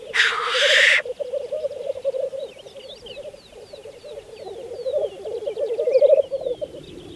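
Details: A loud explosive hiss opens the passage, then black grouse on a spring 2014 lek on Saaremaa keep up a soft, rolling, dove-like bubbling that swells near the end, while higher whistled notes drift over it.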